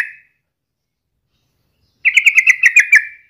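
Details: Sooty-headed bulbul in full, lively song, used as a daily lure to get other bulbuls singing: after two seconds of silence, a quick run of about eight clipped chirping notes, evenly spaced and level in pitch.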